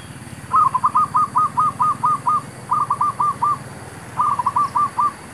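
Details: Zebra dove calling during trapping of wild doves near a mangosteen tree: three bursts of rapid, bubbling coo notes, the first a long run of about eight notes, then two shorter runs of four to five. Low background hum.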